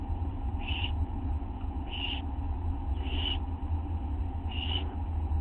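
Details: Nest scene at 1:29 AM on August 9, 2011: an adult owl drops a teeny mouse for an owlet, which swallows it. Four short, breathy screeches recur about every second against a steady low-pitched hum.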